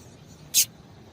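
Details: A female double-collared seedeater gives a single short, very high, sharp chip against a quiet background hiss; the call is played to stimulate a male to sing.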